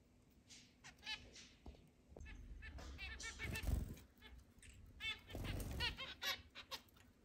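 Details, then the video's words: Eight pet zebra finches in a large indoor cage, also let out to fly around the house, 10 July 2022: short nasal beeps and buzzy trills, several birds calling over one another, with wing flutters and low thumps. "Zebra finches"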